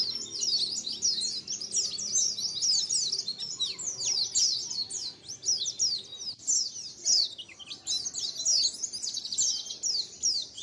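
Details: Flock of white-eyes calling together, as a lure: rapid, overlapping high-pitched chirps and slurred trills pour out almost without pause, a lively, jumbled twitter throughout.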